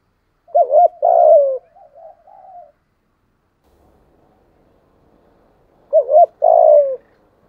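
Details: Spotted dove singing to lure wild doves into a fight, 'giọng thổ' voice: a looped coo and long falling coo trailed by soft notes, then after a pause the same loud two-part phrase again.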